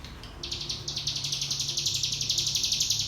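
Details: Ngebrem-style song of a mountain tailorbird, used for teaching young birds: a steady, rapidly pulsing, buzzy high trill runs through nearly the whole stretch after a short faint start.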